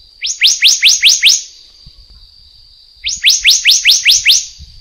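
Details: Black-naped monarch of the Taiwan endemic subspecies giving two bursts of six or seven rapid rising whistles, separated by a pause of about two seconds, over a continuous thin high whine.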